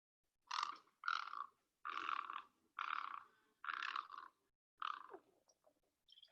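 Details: Great Egret (Ardea alba), a summer bird around Chicago, giving six harsh, croaking squawks about one per second, each short and rasping; nothing else is heard.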